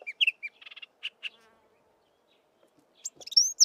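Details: Chestnut-vented warbler's melodious song: quick chirpy, scratchy notes and a short buzzy trill, a brief pause, then bright, high whistled phrases that rise sharply at the end. No other sounds.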